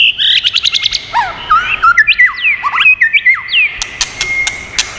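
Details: White-rumped shama singing in many voices, a recording used to stimulate and train birds: fast run of bright whistled notes sweeping up and down, mixed with sharp dry clicks, continuous and lively throughout.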